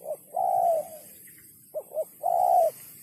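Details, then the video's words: Spotted dove cooing in the sấm chuông style, meant to stir males, females and wild birds: a short note and a long falling coo, then two quick hoots and another long coo, over a soft hiss. "Tiếng chim cu gáy sấm chuông cực chất cực hay kích trống kích mái kích bổi"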